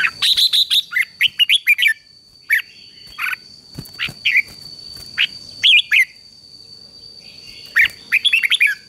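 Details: Song of a red-whiskered bulbul, played as training for a wild-caught bird: fast sequences of bright whistled notes at the start, then scattered single notes and a final burst of rising and falling slurs.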